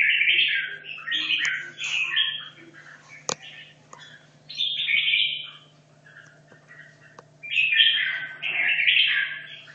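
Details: Competition-practice song of a caged red-whiskered bulbul, held two and a half years: bubbly warbled phrases in clusters separated by quiet gaps, one sharp click, steady low hum beneath.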